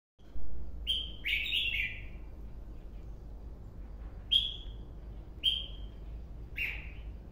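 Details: Red-whiskered bulbul, a white-cheeked bird, giving short, bright whistled phrases, a quick cluster followed by three single notes spaced about a second apart, over a steady low hum.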